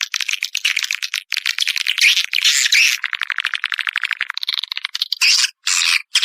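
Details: Edible-nest swiftlet calling in the Naga Emas lure style for swiftlet houses: buzzy twitters, then a fast, even run of clicks, then short loud chirp bursts.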